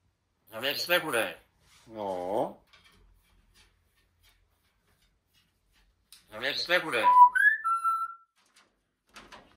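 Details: Talking lories at Tropic Hukvaldy give two short, speech-like phrases, then a burst of chatter that ends in clear whistled notes, stepping down in pitch.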